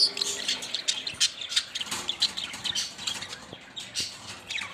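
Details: Many budgerigars chattering at once: a steady stream of high, clicky chirps and short warbled notes with frequent louder squeaks.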